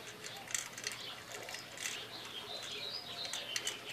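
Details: Female pet parakeet playing with a new bird toy, giving soft, warbling, twittery chatter in the upper range with scattered short chirps and faint clicks, fairly quiet throughout.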